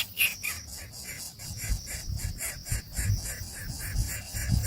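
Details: Hungry baby birds in a wild nest call loudly for food as a parent arrives. Rapid, repeated high chirps come about four per second over a low rumbling background noise.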